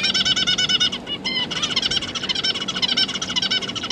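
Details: Three young zebra finches out of the nest with feeding parents, 31 October 2022; a continuous rapid stream of buzzy, nasal harmonic notes, almost two per second merging into a chattering run, with a brief pause midway.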